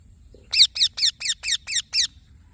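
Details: Green baby parrot giving seven loud, raspy chirps in a quick, even series, each note bright and buzzy with layered overtones.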